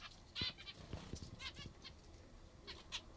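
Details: Captive zebra finches at their favourite food, with a few short nasal calls and soft pecking clicks against a quiet background.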